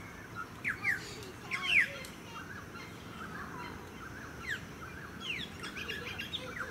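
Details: Noisy friarbird in a eucalyptus tree in a suburban park on the Sunshine Coast, Queensland, in July 2017, giving sharp, harsh, down-slurred notes near the start, with softer chirps from other birds and a steady suburban hum.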